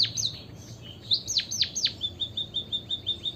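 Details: Singing white-headed munia used to prompt other birds to sing: a few high down-slurred chirps, a louder burst of steeply falling notes, then a steady string of short, flat, high piping notes.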